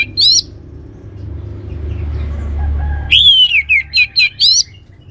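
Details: Orange-headed thrush singing a teasing lure song for other birds: one bright rising whistle, a soft pause with faint notes over low rumble, then a quick burst of descending whistles and repeated rising chirps.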